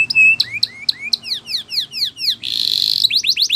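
Canary song: a steady high whistle, then quick falling notes about four per second, a dense buzzy trill, and finally rapid rising chips.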